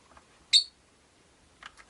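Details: Rosy-faced lovebirds, five kept in a cage by a window, give one loud, sharp, high chirp mid-way, with a few faint ticks before and two softer chirps at the end in a quiet room.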